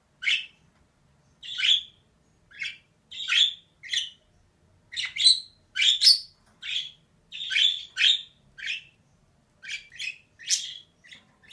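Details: Rapid, irregular series of about twenty scratchy chirps and squawks from a female budgerigar, delivered almost continuously against a quiet background.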